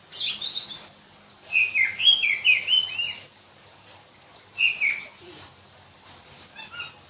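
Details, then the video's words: Black-breasted Oriental magpie-robin from Berau in East Kalimantan singing shrilly: bursts of rapid whistled and chattering phrases separated by silent gaps of about a second, each burst a run of five or six loud notes. "Kicau Kacer Kalimantan"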